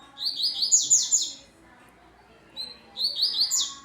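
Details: Double-collared seedeater coming out of moult, very fast song: two quick bursts of high, sharply slurred chirps tumbling in rapid series, divided by a brief pause and a single isolated note.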